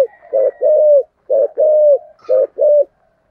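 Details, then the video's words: Spotted dove singing in the 'thổ' voice style, a call used to lure wild doves; paired cooing notes, a short coo then a longer sliding one, repeated in three clear groups over a quiet background. "cu gáy giọng thổ gáy gọi dùng kích bổi rất hiệu quả"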